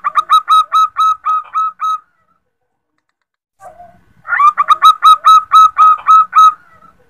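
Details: Female zebra dove calling to the male, used as a lure: two bursts of rapid, stuttering cooing notes, about eight evenly spaced pulses each, separated by a quiet gap with one soft low note.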